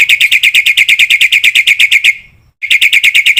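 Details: Black-winged myna song full of varied phrases, used to train other mynas: a fast, even chatter of shrill notes about six a second, a brief pause, then the same rapid chatter again.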